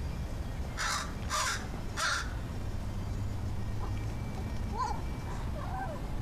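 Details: Crow among a pair making strange sounds and warbles; three quick harsh calls in succession, then softer gurgling, warbled notes trailing off, over a low rumbling background.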